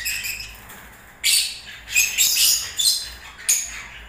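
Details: Lovebirds singing during breeding season: after a quiet start, shrill harsh screeching bursts and squeaky chatter in short clusters, bright and high-pitched.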